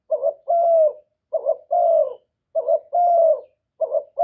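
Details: Luring coo of a spotted dove decoy, used to stimulate other doves, recorded without background noise: a clipped double note, then a drawn-out, slightly falling coo, repeated about every 1.2 seconds in a steady rhythm.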